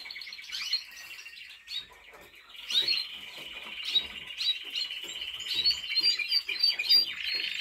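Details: Trained Timbrado Español canary, recorded in 2023, delivering a long sustained rolling trill at steady pitch, interrupted by brief sharp chips and rising whistled notes, with the trill growing louder toward the close.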